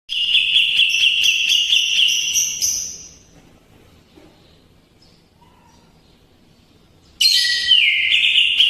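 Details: Greater green leafbird in full song, loud sustained whistled phrases with a rapid pulsing texture for about three seconds, a quiet pause, then another bright burst with a falling slur.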